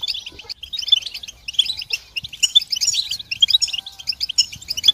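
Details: Many European goldfinches twittering at once, a session to help goldfinches sing and finish moulting; high rapid chirps come in waves, thinner at first, then denser and louder from the middle on.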